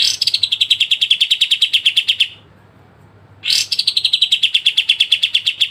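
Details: Pied triller in clear voice, recorded for songbird training: two long, very rapid trills, each opening with a harsh rasp and settling into even, slightly falling chips, separated by a second of silence.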